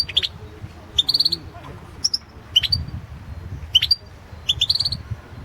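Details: European goldfinch competition song from the 2016 world championship: brief clusters of high, bright twittering notes and tinkling trills repeated about once a second, separated by short gaps, with low background rumble.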